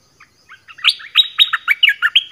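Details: Orange-headed thrush decoy song used to lure wild birds: a loud, rich run of quick whistled and chirped notes, building from soft scattered chips into about ten bright, fast, varied syllables over two seconds.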